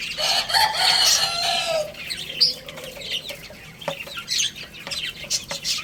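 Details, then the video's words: Chicks playing and feeding while a rooster crows loudly over the first two seconds; afterwards thin high cheeps and irregular pecking clicks fill the rest. "Cute Little Chicks Chirping Sounds| Baby Chicken Playing and Eating"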